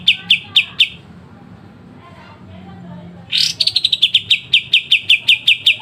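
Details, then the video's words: Kapas tembak, the Pied triller, sings sharp 'besetan' phrases for songbird training: a few crisp high notes, about two seconds of quiet, then an explosive rasping start leading into a rapid series of bright, evenly spaced chips. "Masteran full kapas tembak dengan besetan tajam"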